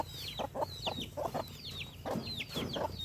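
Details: Chickens on a farm: irregular soft clucks and low murmuring notes, with many high chirps from other birds throughout and a steady low hum in the background.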